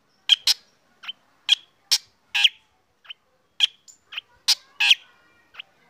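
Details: Morning song of a black drongo being sunned, said to make other birds join in: clipped, rasping chips and paired bursts spaced irregularly, roughly a dozen notes, some higher and thinner, over near silence.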